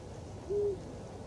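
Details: A single deep, smooth hoot from a Eurasian eagle-owl on a construction crane at the closed Barkarby airport, Sweden, on a late January 26 evening. The hoot is steady and brief, over faint low noise.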